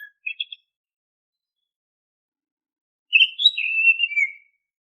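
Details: Oriental magpie-robin (kacer) song, used as a lure so untrained caged birds start singing. Three quick short chips open, then a long pause, then a flowing phrase of clear whistles that rises briefly and slides downward. Quiet surroundings.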